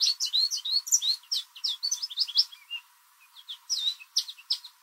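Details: American goldfinch singing in a backyard in spring, likely a mating song; a long run of short, loud, high chirps and twitters in quick varied phrases, briefly pausing near the middle before resuming, with no other clear sounds.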